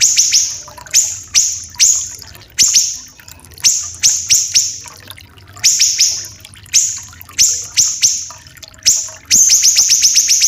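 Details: Common iora, local name siri-siri kecil, from Sumatra and Kalimantan, known for long, rough, dense song. Irregular clusters of sharp descending notes with short gaps, ending in a fast, continuous rattling trill.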